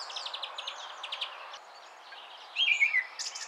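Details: Song thrush singing near its nest in a spruce: a string of quick high repeated notes, a short pause, then louder clipped whistled phrases and a final high burst.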